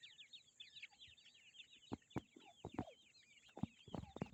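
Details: Several grey francolin chicks keep up fast, high, thin peeping notes while loud knocking and tapping thuds break in repeatedly during the second half.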